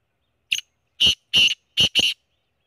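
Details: Black quail calling: five short, harsh, clipped notes in about a second and a half, the first brief and faint, the rest louder and grouped in pairs, with no other sounds.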